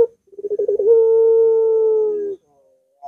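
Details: Barbary dove song used to prompt a reluctant dove to sing: a run of quick stuttering pulses flows into one long, smooth, low hooting note that holds steady and sags slightly at the end, then silence.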